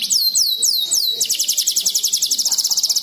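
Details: Canary, complex 'ruwet' song style, recorded to tutor songbirds: four looping downward whistles about a quarter second apart, then a dense, rapid high trill pulsing steadily to the close.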